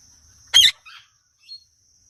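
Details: Indian ringneck parakeet giving one loud, harsh, broadband screech lasting under a quarter second, followed by two faint, brief notes and a thin steady high tone in the background.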